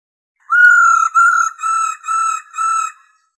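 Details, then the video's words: Female white-cheeked laughingthrush calling to stimulate a male: five drawn-out, level, clear whistled notes of even pitch, each about half a second long, given in steady succession against a silent background. "KHƯỚU MÁI RO KÍCH TRỐNG TUYỆT VỜI.KÍCH TRỐNG NHẠY"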